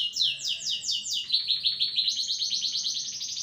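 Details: Agitated canary song: a quick run of descending slurred notes, then a fast rolling trill rising to a higher, even buzzy trill.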